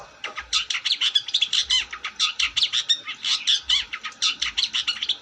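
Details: Long-tailed shrike singing vigorously: a dense, fast run of high chattering and scratchy notes, almost unbroken, with soft low thumps beneath at intervals.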